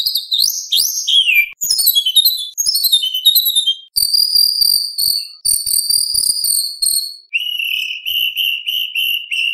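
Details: White-rumped shama in full competition song with 'isian' fill phrases and 'tembakan' shots: rapid falling whistles and trills, then buzzy high trills, ending in a repeated chipping series at a steady pace.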